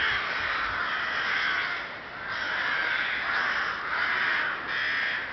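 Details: At the Ptačí ostrovy nature monument in Chrudim, Czech Republic, 30 May 2011, rooks fill the air with raucous overlapping caws that rise and dip in loudness without a break.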